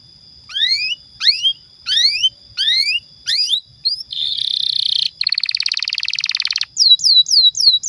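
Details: Energetic pet canary song meant to prompt other canaries to sing; paired rising whistles repeated in short bursts, then a dense buzzing rattle and a coarse trill, ending with quick falling chirps.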